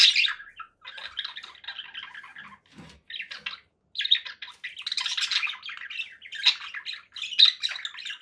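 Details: Conure parakeet giving a continuous run of harsh, buzzy squawks and chatter, briefly interrupted by a soft low thump before the calling resumes louder.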